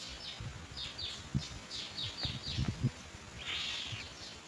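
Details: Hungry young mynas waiting in the nest as the parent brings white food pellets: a rapid series of short, high, downslurred chirps, then a harsh drawn-out rasp, with low thumps and rustling underneath.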